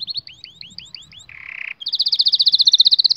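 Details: Canary song used to train young canaries: repeated rising whistled slurs about four per second, a short buzzy rattle, then a loud fast regular trill building to the end.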